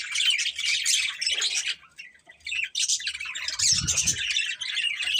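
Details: Chattering from a breeding pair of budgerigars: continuous raspy, high warbled chirps with a short dip near the middle and a low rumbling knock underneath toward the end.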